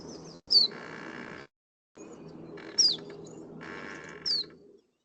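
Iberian Chiffchaff giving three single high, clearly descending 'piu' call notes about two seconds apart, over a faint background hum.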